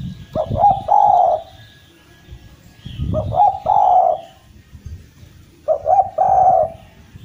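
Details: Javanese Eurasian collared dove in energetic 'gacor' form, a lure song meant to revive stalled doves; three soft cooing phrases, each short stuttered notes into a long mellow coo, about every two and a half seconds, over low rumbling background.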